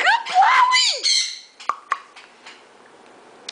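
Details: A rescued pet nanday conure with balance problems, apparently terrified while being coaxed out indoors by its owner, gives harsh, wavering squawks that rise and fall for about a second and a half, followed by a few short sharp clicks.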